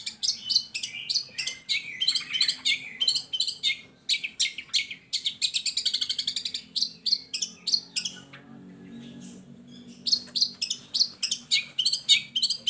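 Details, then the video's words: Long-tailed shrike singing to coax lazy shrikes into song: quick sequences of sharp chips and a buzzy rapid trill, a quiet spell, then renewed fast high chatter. "Pancingan Buat Burung Cendet"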